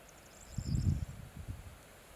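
Eurasian bittern: one deep, hollow, booming note lasting about half a second, then a couple of softer low pulses. A faint high thin whistle sounds in the background.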